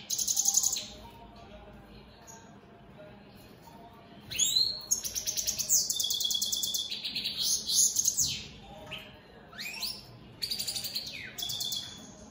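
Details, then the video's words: European goldfinch, opal split Satane mutation, bursts into song after a quiet pause, pouring out fast high twitters, buzzy trills and tinkling notes in several separated runs. "Opal split Satane goldfinches siging"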